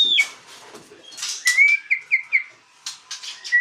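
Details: Asian pied starling (jalak suren) singing in a vigorous gacor, ngaruda style: a falling clear whistle, then a run of short slurred whistles at steady mid pitch, broken by harsh broadband rasping bursts and brief pauses.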